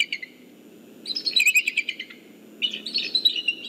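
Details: Eagles of a mated pair sticking close at their nest tree as hatching nears, December 2014 afternoon: two bursts of rapid, high chattering chirps, each lasting about a second, with a low background hum.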